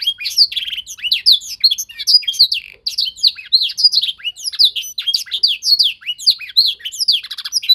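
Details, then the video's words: A young canary in singing-training season sings a rapid, continuous run of bright rising and falling whistles and chirps with short trills, barely pausing between phrases, while learning to imitate a tutor's song. "Proses pemasteran kenari paud (singing training season)"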